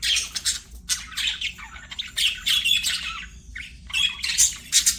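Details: Playing budgerigars sing in a busy stream of high scratchy chirps, clicks and brief whistled notes, the chatter rising and falling in short overlapping phrases with hardly a pause.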